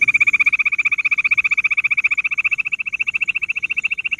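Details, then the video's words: Bush quail, also called gundri, in a lure recording used for hunting: a fast, even trill of sharp, high pulses, about eleven each second, running steadily through all four seconds against a faint constant hiss. "bush quail sound"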